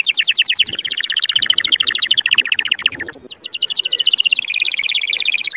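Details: Canary song played to stimulate males and excite females for mating, said to make the hen take the mating posture on the perch; fast rapid-fire trills of high repeated notes, a brief pause near three seconds, then rolling trills resume.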